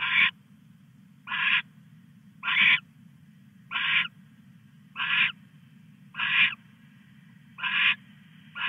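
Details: An owl pair on a live camera at 2:34 AM, August 22, 2015, the male bringing the female a mouse. Eight rasping hissed screeches repeat at fairly even intervals just over a second apart, above a low humming background.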